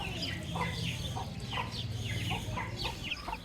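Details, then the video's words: Baby chicks cheep in quick succession, about four high falling peeps per second, over a strong low rumbling hum. "Soft Baby Chick Chirping Sounds"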